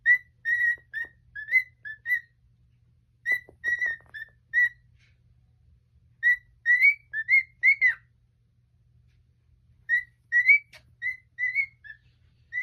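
A cockatiel gives bursts of clear, rising whistles, several notes in quick runs with pauses between.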